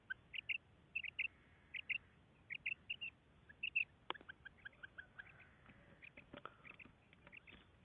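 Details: Female common quail calling with clear paired high notes in the first half, repeated about once a second, then fainter scattered notes among clicks and crackling noise.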